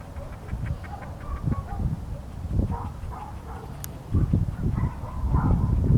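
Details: Crested duck at Rio Gallegos, Santa Cruz, Patagonia, Argentina, giving short nasal, harmonic calls in loose bursts through the first half and again near the end, over heavy low wind rumble.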